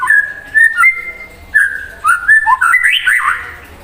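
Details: White-rumped shama singing strongly to provoke a rival bird: a varied run of loud, clear whistles in short phrases, some held steady, others leaping and sliding, rising toward a brighter, higher flourish near the end.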